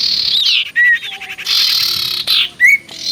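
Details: Energetic common iora song meant to prompt replies: loud harsh buzzy bursts separated by short pure whistles, one high and one lower, and a final rising chirp.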